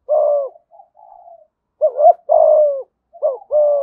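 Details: Spotted dove from Đồng Nai singing in the 'thúc gù giọng thổ' style: soft low coos, a short wavering note followed by a long, slightly falling hoot, repeated three times with faint murmured notes between, quiet background.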